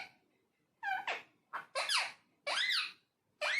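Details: Indoors, a talking parrot produces a quick run of squeaky, speech-like syllables, with high swooping and arching tones, some rising sharply. The syllables come in uneven pairs and single bursts after a short silence.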